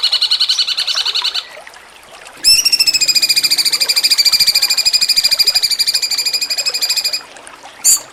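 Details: Cucak cungkok singing jengking munting for songbird contest training: a short buzzy trill, a pause with low background murmur, then a long steady pulsed trill of nearly five seconds and a final brief high burst.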